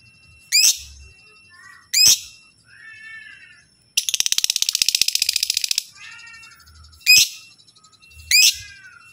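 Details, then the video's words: Lovebird whose calls are meant to set other lovebirds answering: loud rising shrieks repeated, soft warbling between them, and a two-second buzzy rattling trill in the middle. "Jenis Lovebird Apapun Kalau dengar Lovebird ini pasti Nyaut Gacorrr"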